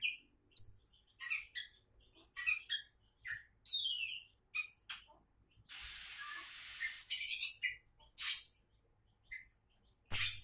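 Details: Oriental magpie-robin, a would-be champion, delivers sharp whistles, chips and cascading slurred notes in bursts, interrupted midway by about a second of hissing noise, then resuming with loud piercing calls.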